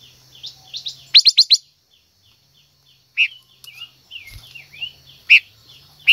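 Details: Female silver-eared mesia singing to rouse a male: a rapid four-note burst of bright, piercing notes, then scattered loud single chips. Soft, repeated downslurred twitters from other birds continue behind.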